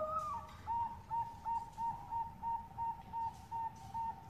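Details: Bangkok zebra dove lure call, female calling male: one higher opening note, then about ten short, evenly spaced whistled notes repeated roughly three per second over steady background hiss.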